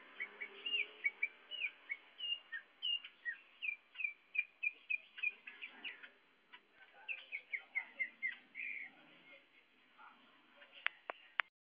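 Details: Young greater green leafbird singing keenly, a long series of short whistled notes repeated roughly twice a second, some rising and some falling, with a few sharp clicks near the end.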